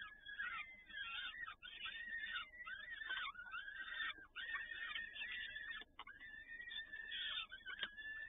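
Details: Peregrine falcon recorded in Toruń, 7 May 2019, evening feeding by both parents: series of harsh, wavering wails, each lasting about a second, repeated steadily with short gaps.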